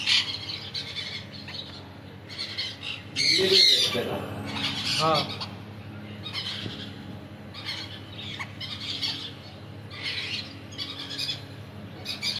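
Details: Crimson-bellied conure squawking in harsh, scratchy bursts, one loud outburst early on, then scattered shorter squawks, with a human voice briefly heard among the calls and a low hum underneath.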